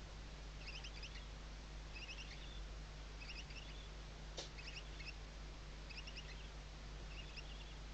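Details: Western barn owl chicks sheltering under the mother's wings, nest webcam at Riet Vell reserve, Ebro Delta, Spain, 2023; short high chittering bursts repeat about every second and a half, one sharp click, constant low hum.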